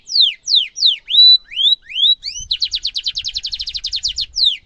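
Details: Singing canary with a long, sharp trill, recorded for tutoring young canaries: clear whistled notes sweeping down and up, then a fast, even rattling trill of about six notes per second, ending with another falling whistle.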